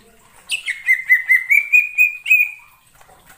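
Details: Cucak ijo (green leafbird) lure sound used for trapping birds: a sharp high chirp, then a rapid run of about eight pulsed, buzzy notes on one steady mid-high pitch, ending in a brief upward flick.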